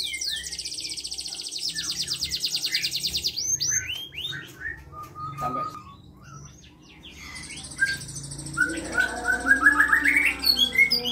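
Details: Local Indonesian canary in full song: a fast buzzy rolled trill of evenly repeated pulses for about three seconds, scattered short chirps and a steady whistled note, then rising sweeping whistles and chattering trills, over a low background hum.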